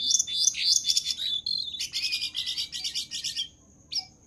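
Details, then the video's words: Fast Jongkangan song recorded as training material for other birds: a rapid high trill of bright pulsed notes, several per second, ending in one long thin whistle and a final short chirp. "Burung Jongkangan Gacor dor"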